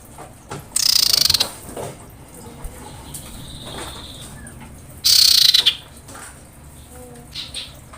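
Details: Lure recording of a female common iora in breeding condition calling for males: two loud, rasping, rapidly pulsed chatters about four seconds apart, with softer chirps and rustling in between.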